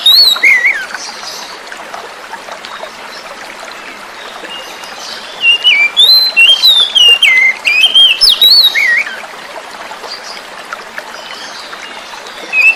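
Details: Oriental magpie-robin (kacer), wild-caught, song paired with flowing water to stimulate silent birds: soft water rush, scattered whistles, then a mid-clip stretch of loud rapid warbled and sliding whistled phrases.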